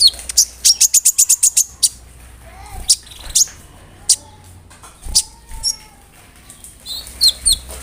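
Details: Konin bird singing a varied mimicked song filled with cricket and other bird sounds, kept as tutor material for songbirds: a fast run of sharp ticking chips, then scattered high chirps, short whistles and a lower slurred note, over a faint low hum.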